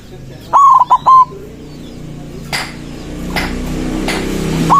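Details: Loud song of a white zebra dove, played to draw rival doves: a quick three-note cooing phrase opens, followed by sharp clicks and knocks, rising hiss and the start of another coo.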